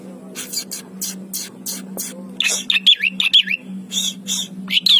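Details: Javan pied starling mimicking other birds: loud broadband harsh notes followed by rapid swooping whistles and chattering phrases, over a steady low hum.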